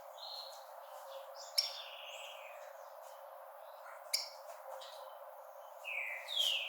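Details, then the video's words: Rufous-collared sparrow (tico-tico) giving a 'bravery' call meant to stir up birds at the start of the breeding season: clear whistled slurs, some falling and some rising, mixed with sharp dry clicking ticks. "Tico tico Paul wilbur chamando para estímulo em pássaros no inicio do período reprodutivo"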